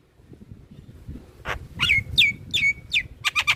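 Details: Black-winged myna song played to prompt captive birds into singing: a few sharp broadband notes, then a series of loud whistled notes each sliding down and levelling off, repeated about every half second, with low background rumble.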